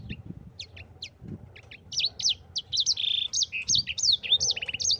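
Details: Yellow-fronted canary in rolling song for training other birds: a few sparse high chips, then a dense run of bright, swooping whistles, a buzzy held note and a fast trill, with faint low thumps beneath.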